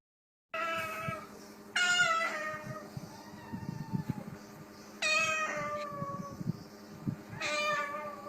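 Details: A parrot mimicking cats gives four drawn-out, cat-like meows, each starting high and sliding down, spaced a few seconds apart over a low background rumble, copying another species' vocal repertoire.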